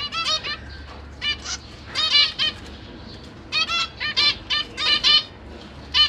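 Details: Zebra finch family kept in a big cage, parents busy feeding three juveniles and three new chicks, September 2023; scattered bursts of nasal, stacked calls come in irregular clusters with short silent gaps.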